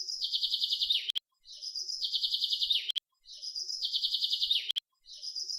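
A small bird gives a fast, high chirping trill that steps slightly downward, repeated about every two seconds with short clicks between phrases.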